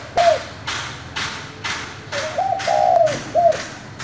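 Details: Spotted dove with a 'giọng thổ' voice calling to spur newly caught doves into calling: one low, mellow three-part coo, rising then ending in a short separate note, over repeated sharp broadband knocks about every half second.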